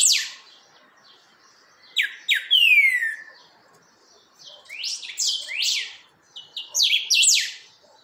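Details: Chalchalero, the rufous-bellied thrush, firming up its song: a bright opening stroke, then paired steep downward notes and a drawn-out falling whistle, followed after a pause by rapid clusters of sharp high notes.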